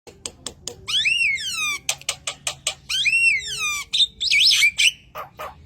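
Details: Javan myna song used as training and lure material for songbirds: loud, rising-then-falling whistled slurs with rich overtones, mixed with sharp clicking notes and a fast warbled wavering phrase, on a clean quiet background.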